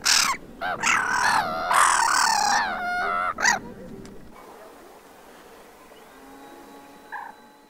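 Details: Black-headed gulls quarrelling on a beach in Vannes, Brittany, France, on 6 March 2023: harsh, nasal squawking calls in quick overlapping bursts for about three seconds, one more squawk, then quieter background surf and murmur.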